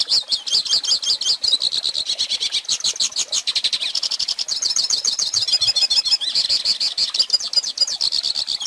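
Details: Hooded Siskin (pintassilgo) singing for young birds to learn from: a long, lively twittering song of rapid trills and chattering runs, changing pitch every second or two, with a buzzy stretch near the middle.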